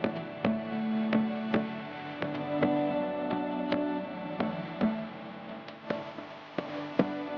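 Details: Plucked guitar music with steady beats and sustained notes, and no bird song heard.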